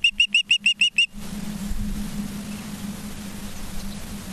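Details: Osprey at a nest in Charlo, Montana, on 19 September 2023 around 20:14: a rapid series of seven sharp, high chirping whistles in about one second, followed by steady low hum and background rumble.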